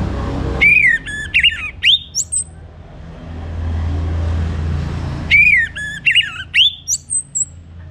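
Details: Morning song of an orange-headed thrush, used to prompt birds to sing: two short runs of clear whistled notes, bending up and down and ending in high thin upslurs, over a steady low hum between phrases.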